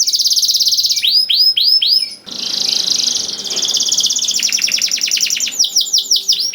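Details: Canary song played as a lure for other canaries: a dense buzzy trill, a few swooping whistles, a long rolling trill and a closing run of repeated downslurred notes.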